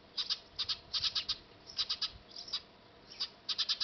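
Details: At their nest on a factory roof, Eurasian tree sparrows give clear, high chirps in clusters of two to four, with pauses between clusters. Recorded with a D5000 camera.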